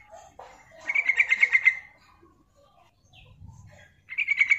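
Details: Calling female yellow-vented bulbul, recorded to lure wild birds: a lively burst of about eight quick bubbling pulses, a brief quiet gap with a soft high note, then a second chattering burst starting.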